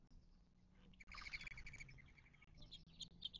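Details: Wild birds gathered at a western Mojave Desert watering hole in southern California, near Joshua Tree National Park, 19 March 2024. A dense, rapid twittering stream of buzzy notes, with sharper high chirps toward the end over faint low hum.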